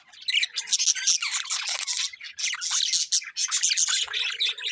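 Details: Budgerigars chirping in a dense, continuous stream of high, scratchy warbles and chattering notes, overlapping busily with barely a break.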